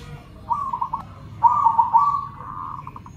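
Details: Local and crossbred zebra doves calling in reply to each other: a short burst of quick coos, a pause, then a longer rolling trill that ends in several clipped staccato notes.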